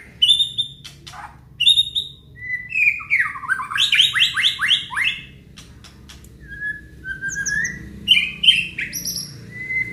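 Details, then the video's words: Aceh white-rumped shama in full song, showing its repertoire. High whistles open the run, then a fast rattling series of descending notes, then more scattered whistled and chirping phrases. Quiet background. "FULL KICAUAN BONGKAR ISIAN MURAI BATU ACEH"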